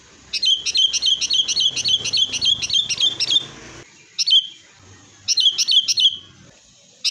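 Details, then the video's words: Caged-bird lure of sooty-headed bulbul, noisy fighting song; a fast, stuttering string of bright rolling whistles for three seconds, then shorter bursts, over a steady background hiss. "kutilang gacor TARUNG buat pancingan kutilang agar bunyi"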